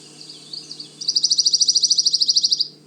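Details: Pine Warbler, a canopy-dwelling short-distance migrant that arrived in April at Manchester Cedar Swamp Preserve, New Hampshire forest, sings a steady, musical single-pitched trill of about twenty quick notes lasting under two seconds; a fainter bird calls just before.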